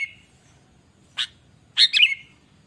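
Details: Sooty-headed bulbul calling as a lure to set other bulbuls singing: a short whistle, a sharp click, then a bubbly slurred phrase that trails off into a level whistle.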